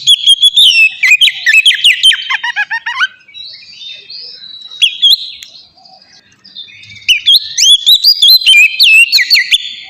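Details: Singing oriental magpie-robin, ngeplong style, used as a lure to make captive birds sing. Fast, varied whistles and chirps fill three seconds, a few soft notes follow a pause, then loud rapid phrases resume.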